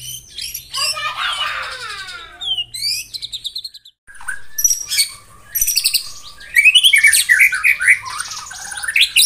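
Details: White-rumped shama singing in the morning to excite rival birds: a buzzy falling trill, short high chips, after a brief pause loud sharp notes, then a fast tumbling sequence of varied whistled phrases.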